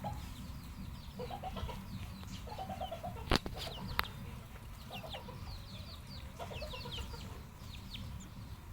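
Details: Red junglefowl kept on a farm, Asian wild chickens, giving short repeated clucking bursts in low clusters with higher chirps from other birds, over a steady low rumble and two sharp knocks.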